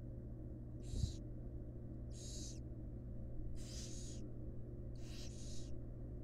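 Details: Female barn owl with fledglings at a wild nest box: four breathy screeching hisses at intervals of about one and a half seconds, the final one broken into a double burst, over a faint hum.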